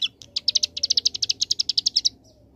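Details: Hill prinia, ciblek gunung, delivering a loud, steady 'ngebren' AK47 trill: around eighteen sharp high notes repeated roughly eight times per second, then silence.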